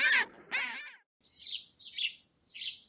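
A voice says the bird's name, then a sparrow gives three or four short, bright chirps about half a second apart.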